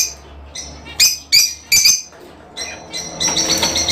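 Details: Fischer's lovebirds, kept birds, calling to encourage mating: clusters of shrill, high chirps in quick bursts, then a denser stretch of overlapping twittering at the end.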